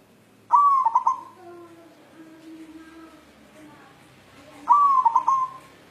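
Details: White zebra dove, a local bird, calling while seeking a mate: two stuttering, hollow cooing phrases about four seconds apart, each a clipped sustained note broken by quick pulses, with a faint low murmur like voices between them.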